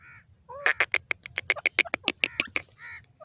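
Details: Grey francolin calling in a forest with green grass: a rapid series of sharp, harsh notes that quicken and then slow, framed by nasal, slurred notes at the start and end, with a low rumbling background.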